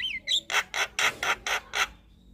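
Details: Javan myna song with 'isian' fill-in phrases, used to draw a response from silent mynas; a short rising whistle, then six loud harsh squawks about a quarter second apart.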